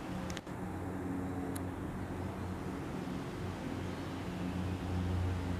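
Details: Low mechanical hum like a passing vehicle or fan runs throughout, broken by a couple of faint clicks, with no animal voice heard.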